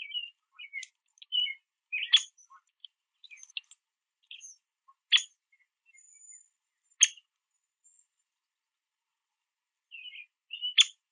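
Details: Male Downy Woodpecker feeding on sunflower seeds at a backyard feeder, making varied quiet high chirps and a few sharp louder notes spaced irregularly, with silent gaps between.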